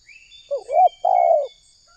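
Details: Spotted dove used as a lure for wild doves in Indonesia: one rolling coo phrase, a short curling note and then a sustained gravelly coo, with thin high whistles from another bird.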